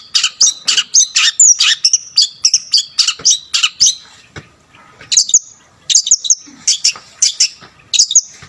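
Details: Lively Long-tailed shrike song, full of varied phrases, used to rile up other shrikes; dense bursts of sharp high chirps about twice a second, a short pause, then more clipped notes.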